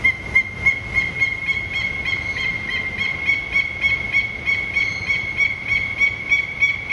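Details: A Peruvian thick-knee at Assiniboine Park Zoo in February 2023 gives a loud, steady, piercing whistle, pulsing about three times a second without a break, over soft background hiss.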